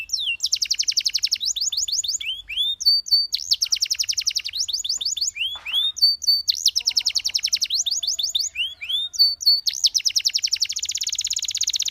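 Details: Belgian canary singing, played for canary training to boost confidence: fast rolling trills of high notes broken by rising slurred whistles and short level whistled tones, repeated in bursts over twelve seconds.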